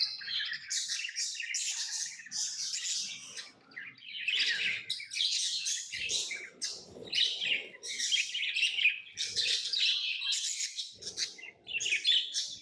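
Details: Tame lovebirds chirp in a steady stream of harsh, squeaky bursts repeated roughly twice a second, shrill and scratchy, with soft low rustling and knocks underneath.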